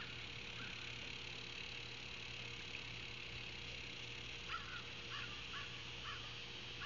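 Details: Osprey at its Savannah nest, 9 August 2023, late afternoon, on a live nest camera; after a quiet stretch of hum, a burst of five or six sharp whistled chirps, evenly spaced near the end.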